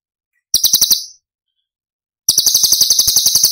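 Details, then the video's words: Cililin-style 'tembakan' masteran of cucak cungkok, aimed at training songbirds: a brief sharp rattle of a few pulses, a pause of about a second, then a sustained fast high trill running to the end. "Cucak Cungkok Istimewa ~ Tembakan Istimewa Cililin"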